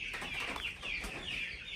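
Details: On a rainy morning on a homestead, a flock of hungry meat chickens, wanting out, gives a dense, constant chorus of high, rising peeps and clucks, louder when someone enters, many birds calling over one another with no pause.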